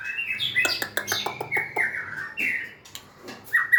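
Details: White-rumped shama giving whistled phrases mixed with rapid clicking notes, then longer steady whistles and a final loud downslurred note; low hum in background.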